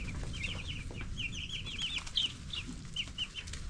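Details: Many 10-day-old broiler chicks give piercing, quick cheeps in clustered bursts, one louder peep standing out midway, backed by a low drone.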